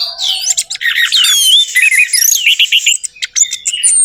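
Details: Orange-headed thrush, recording used to coax a quiet bird into song: fast, continuous medley of high whistles, slurred glides and sharp chips packed tightly together with barely any gaps.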